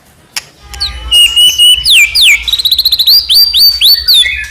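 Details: White-rumped shama singing to set off other shamas: high thin whistles and sweeping slurs build into a fast run of chirps and rising notes, with a faint low hum underneath.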